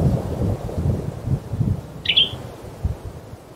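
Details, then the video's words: Male western tanager in a forest late in the season giving one short, buzzy, slightly falling chirped call near the middle, over steady low rumbling background noise. "Call of the Western Tanager"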